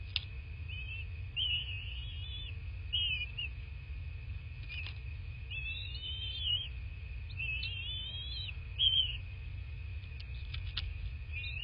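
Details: Bald eagle calling at a nest in southwest Florida, captured by nest camera on 26 February 2024 at 09:21: short thin whistled notes, some slurred, in scattered bursts over a steady electronic hum and low rumble.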